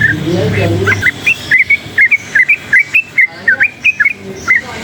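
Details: Yellow-vented bulbul of wild origin, agitated by noise, delivering a lively string of clear, whistled, bouncing notes in quick even pulses, after a brief low rumble at the start.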